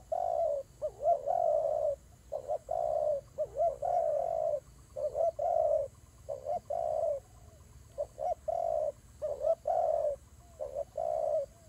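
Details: Doves fighting, giving rapid runs of short, hollow coos in the mid range, some notes bending up and down, with brief pauses between bursts and a steady faint background hiss.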